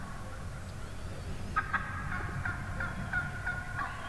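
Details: Morning chorus from a large flock of wild turkey hens in the woods, with a quick series of sharp, nasal yelps and clucks picking up after a quieter start and repeating rapidly over steady low background hum.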